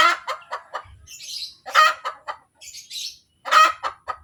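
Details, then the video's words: Laying hen cackling after producing an egg: rapid series of harsh, nasal clucks building to strong accented notes, repeated in uneven bursts roughly every one to two seconds, with faint higher chirps in the background. "SUARA AYAM SETELAH BERTELUR | AYAM BERKOTEK | AYAM BETINA BERTELUR"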